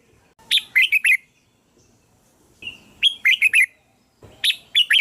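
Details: Red-whiskered bulbul song used to lure other bulbuls, short chirpy whistled phrases of several quick rising and falling notes, given in three bursts.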